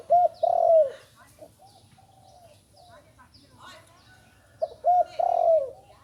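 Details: Young spotted dove just starting to call gives a long falling coo, then a softer, quieter stretch with faint clicks. The full phrase returns: two short coos and a sustained descending coo.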